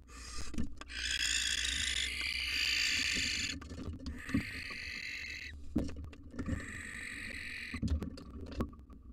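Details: Wild barn owls at a nest box, a mother forcing her fledgling out of the nest: three harsh rasping hissed screeches, each one to two and a half seconds long, with scratching and thumps between.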